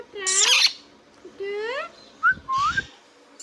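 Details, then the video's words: Indian ringneck parrot, a pet, talking in nasal, rising harmonic phrases followed by two short upslurred whistles and faint low thumps. "Ringneck Parrot Talking Sound video | Indian Ringneck parrot natural sound"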